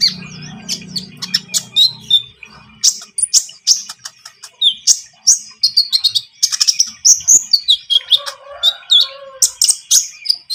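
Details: Javan munia singing steadily as a trapping lure: rapid, high, clicking chirps and thin twitters in an almost continuous stream, with a low hum early on.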